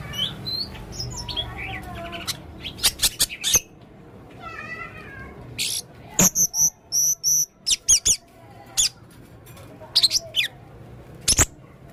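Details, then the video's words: Male blue-crowned hanging parrot giving many odd sounds: soft thin whistles and a wavering warble, then a quick run of sharp, very high chips and scattered clicks. "burung serindit jantan gacor banyak suara aneh"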